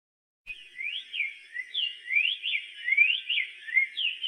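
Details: Black-faced tanager singing a lively run of clear whistled notes, each sweeping up or down in quick slurred loops, about one note per second, with no other sounds.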